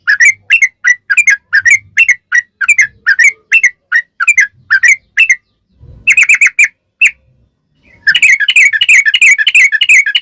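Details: Sooty-headed bulbul (trucukan) giving long ropel song used to draw bulbuls into singing: rapid chains of liquid, bubbling whistles, a brief pause, then an even faster dense burst of chattering notes.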